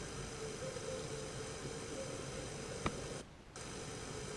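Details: Steady hiss and low room noise with a single sharp click near the end, followed by a brief drop to near silence, and no animal voice.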